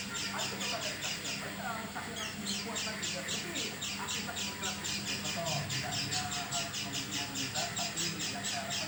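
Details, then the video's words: Oriental white-eye making an unusual sound unlike its normal call: rapid rasping pulses, a little more than two per second, fairly irregular, with a low steady hum underneath. "Burung pleci bersuara aneh"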